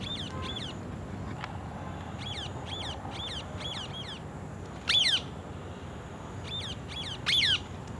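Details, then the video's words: Parrots giving repeated shrill looping calls in pairs and trios, a few louder harsh squawks standing out, over a low steady hum. "Parrot Eating Apple and others parrot natural sound"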